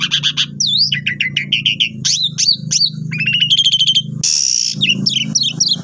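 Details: Asian pied starling lure song used for tutoring newly purchased birds: pulsed chatter, looping whistles, stuttering repeated notes and a loud harsh burst, all over a continuous low hum.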